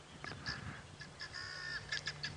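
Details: A guineafowl on an African safari drive in the late afternoon, Djuma area, January, gives harsh grating alarm notes in quick uneven bursts, possibly at something unseen, over a low rumble like an idling vehicle.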